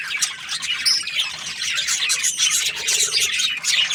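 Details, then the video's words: Budgies keep up a steady run of high, squeaky chatter, with many overlapping chirps and warbles and no pauses. "Australian budgies parrot chirping sounds"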